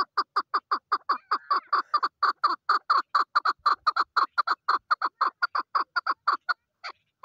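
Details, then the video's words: Female chukar partridge calling in a fast series of harsh, clucking chuck notes, about two per second, steady and evenly spaced for over seven seconds, with a brief softer rattle in the middle and no other sounds. "Female chakor best voice//Chakor voice//chakor sound//طایر الحجل// Keklik sesi"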